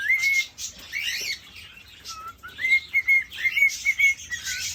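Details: Courting male cockatiel, caged, whistles toward a hen: a held whistle, raspy chatter, then a quick series of short repeated whistled notes about one per second.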